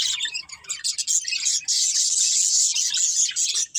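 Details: Budgerigar breeding pair chattering in a steady, rapid stream of high, harsh chirps and buzzy warbles, with short gaps early and toward the end.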